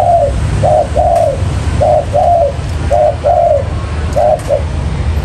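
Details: Spotted dove kept to lure wild birds into traps, calling in rhythmic paired coos, a quick note then a longer falling one, repeated roughly once a second over low hum.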